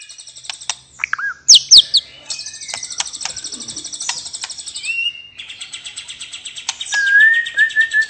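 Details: White-rumped shama singing a relaxed ngeplong style song, used as a lure to get silent birds singing: high buzzy trills and sharp downslurred notes, a brief rising whistle near five seconds, ending in a repeated level whistled phrase.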